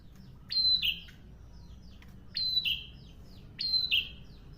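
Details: Prinia singing busily, three repeated phrases of a high, bright note falling into a short buzzy note. Roughly every one and a half seconds, with little background noise.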